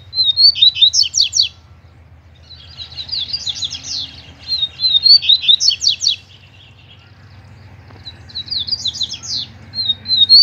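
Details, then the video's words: Double-collared seedeaters singing in competition with a loose bird. Repeated song phrases, each a short whistle leading into a fast, buzzy run of descending notes. Bursts come in quick pairs, then pause, with a low background hum throughout. "Cantando e Disputando Com o Coleiro Solto"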